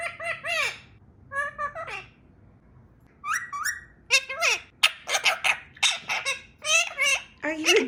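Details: Pet talking parrot mimicking a dog's bark: short, harsh, harmonic bursts in uneven clusters, some sliding downward, with pauses between groups; people laugh in the background.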